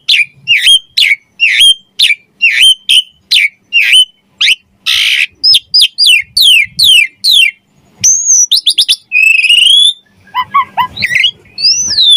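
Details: Javan pied starling singing in lively gacor mompa style with rich varied fills: a run of sharp descending whistles, a harsh rasping burst, then upslurred and rising whistled notes in quick succession.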